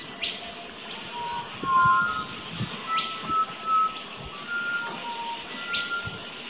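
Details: Pied butcherbird singing in an Australian backyard garden, filmed 19 October 2018 with a Nikon Coolpix P900. It gives clear, fluty whistled notes in short, varied phrases, mixed with sharp rising chirps and faint background rustle.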